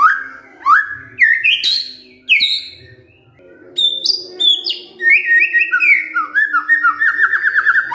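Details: Fighter kretekan from a white-rumped shama, used to provoke silent shamas into replying: rising whistled slurs and loud upswept notes, a short pause, then high ringing phrases leading into a fast stuttering rattle of repeated falling notes.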